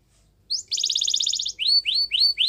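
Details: Canary song for training young canaries: short rising note into a dense rapid trill, followed by four upswept whistled notes.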